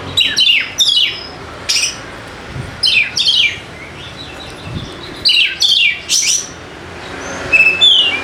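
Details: Oriental magpie-robin, called kacer, sung as a lure to start idle birds singing: short separate phrases of loud, sweeping whistles and chirps recur every second or so across the clip, with quiet gaps between.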